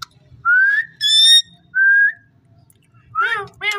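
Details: Ring-necked parakeet kept as a pet, talking: two smooth rising whistled syllables and a bright harmonic tone, a pause, then two quick wavering speech-like notes close together.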